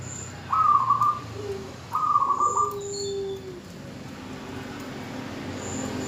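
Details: Female zebra dove calling to a male, used to draw the male into singing; two short pulsed, trilled mid-pitched coos about 1.4 seconds apart, with softer lower coos and faint high chirps behind.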